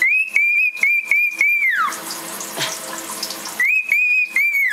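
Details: A cockatiel taking a shower gives long, steady, high whistles that drop away at the end, over splashing water.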